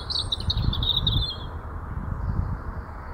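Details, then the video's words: A robin gives a brief, high, thin warbling short song lasting about a second and a half, over a steady low rumble of wind or distant traffic. "Robins short song"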